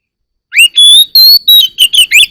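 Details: Oriental magpie-robin morning song: a brief loud phrase of a rising whistle, long clear sustained notes and quick falling slurs, repeated elements in close succession.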